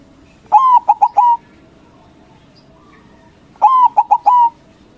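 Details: White zebra dove (perkutut) calling loudly to trigger answering rivals, two clean phrases about three seconds apart, each a sliding coo, a quick triple of clipped notes, then a longer level coo.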